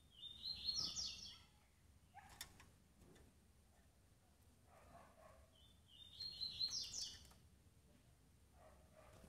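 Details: Calls of a female double-collared seedeater meant to excite males: two bursts of high, rapid, upslurred notes about six seconds apart, with faint knocks between.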